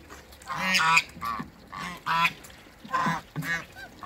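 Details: Muscovy ducks, a pair kept in a backyard, utter four or five loud, harsh, nasal honks spaced roughly a second apart, each call rich and buzzy.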